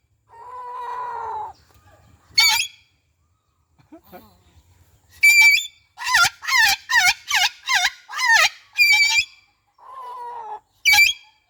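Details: Pet citron-crested cockatoo (yakob jambul orange): a run of about seven loud, harsh rising-falling screeches in quick succession, with softer lower droning sounds before and after and a final sharp squawk.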